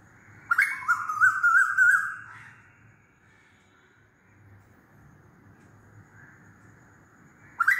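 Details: Loud Asian koel whistle, wavering and rising for about one and a half seconds, followed by a long quiet stretch with faint notes and the start of another call.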